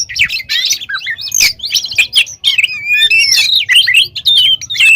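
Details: Oriental magpie-robin in vigorous, mimicry-laden song, used to spur rival magpie-robins. Harsh chattering and rapid varied notes give way to clearer whistled slurs, over a faint low hum.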